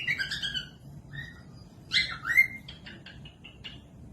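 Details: Cockatiel whistling, used to tutor other birds that are slow to sing; harmonic whistles, a longer swooping phrase in the middle, then a series of short clipped notes.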